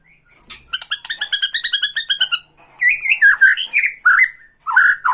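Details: Bornean white-rumped shama singing tretekan to anger a rival: a fast even rattle of about fifteen ringing notes, followed by loud warbled whistles and slurred phrases.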